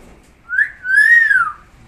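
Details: Hill myna, described as a talking bird: a loud clear whistle. A short rising note is followed by a longer arched note that rises and falls, with bright overtones and a quiet background.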